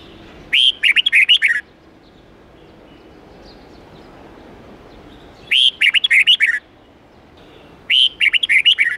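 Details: Song-training recording of a red-whiskered bulbul singing the 8-9-10 note twisting forest style for young birds: three bursts of fast, warbled whistles, each about a second, the last two closer together, over steady low hiss.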